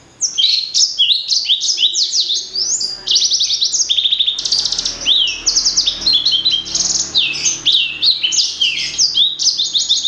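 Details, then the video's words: Blacksang, offspring of a blackthroat crossed with a sanger, delivering a continuous lively song of quick, high, tumbling whistles and buzzy trills with hardly a pause. "Kicau Merdu Blacksang Gacor"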